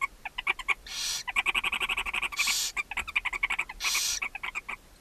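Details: Barn owls at their nest box in Ságvár, Hungary, May 4, 2024, mother feeding seven owlets. Loud, fast chattering ticks run almost continuously, broken by three strong hissing screeches.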